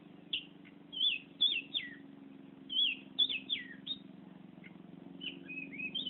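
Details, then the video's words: Oriental magpie-robin giving lively ngerol song: loud, clear whistled notes that swoop down and up, delivered in quick bursts separated by short pauses, with a constant low humming drone underneath. "Burung Kacer Ngerol Gacor"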